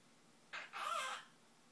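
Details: Pet Quaker parrot imitating the words "bye bye" heard from its owner. A single two-part croaky utterance: a short buzzy syllable, a brief gap, then a longer, louder, wavering one, in a quiet room.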